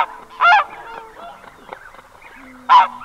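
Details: Two loud, high yelping honks from a lone red-breasted goose at close range, separated by a couple of seconds of low murmuring and a faint drawn-out note.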